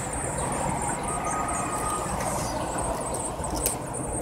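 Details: Eurasian blue tit nestlings aged 7-9 days keep up a continuous high, hissing squeak while being fed, with a few faint clicks over a broad low hum.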